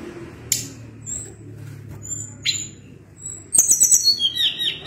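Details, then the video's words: Lively Sunda blue robin song with sparse high whistles and sharp clicks, ending in a loud run of fast ticking and bright, slightly descending whistled phrases against low background rumble. "Ocehan Tledekan Gunung gacor Ngeri Bikin Tledekan Apapun ikut Gacor Ngerol Panjang"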